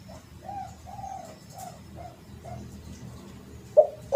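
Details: Spotted dove call used as a lure: a row of five soft, low, hollow coos, the middle ones drawn out, followed by a short quiet gap and two abrupt loud knocks at the very end.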